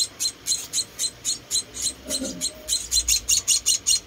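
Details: Rescued munia babies during feeding: regular high, thin chirps about twice a second, a short murmur of human voice in the middle, then faster, louder chirping at the end.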